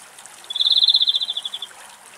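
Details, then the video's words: A song thrush squabbles with another over drinking water. One quick, dry, buzzy rattle of evenly spaced pulses lasts about a second and then fades, over a quiet background. "Τσίχλες Κελαηδότσιχλες Πίνουν Νερό και Μαλώνουν - Πουλιά του Δάσους Κελάηδημα"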